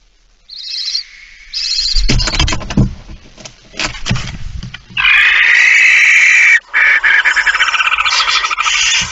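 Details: Barn owl, a female arriving with a mouse, recorded 17 September 2019 at 06:11; after a short silence come thumping, scuffling knocks, then long harsh rasping screeches in a steady broadband hiss that break off briefly and resume.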